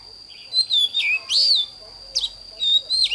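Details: A young Oriental magpie-robin gives morning song: clear, high whistled phrases that swoop up and down in short bursts about a second long, over a steady thin high tone.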